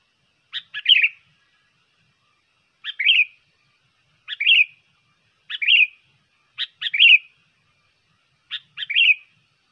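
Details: Trained sooty-headed bulbul singing a lure song for trapping, tutoring or contests. A short, cheerful phrase of a sharp note and then a warbled slur repeats six times, about every two seconds. The background is quiet.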